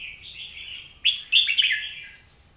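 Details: Oriental magpie-robin singing: a drawn-out whistled note around mid-high pitch, then a quick series of bright, rich phrases with sharp upward flicks, fading into a soft trailing warble.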